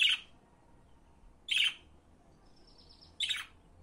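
A budgerigar gives three harsh, bright chirps, spaced about a second and a half apart.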